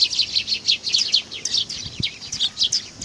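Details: Several sparrows arriving to be fed at a Tenmangu shrine on 18 August 2020 give a dense, almost continuous run of short high chirps, overlapping and repeated several times per second, with a soft low thump near the middle.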